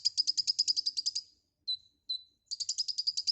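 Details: White-rumped shama singing lively in full 'gacor full isian' style: a fast train of buzzy, chattering notes, then two short descending whistles, then another rapid chattering burst.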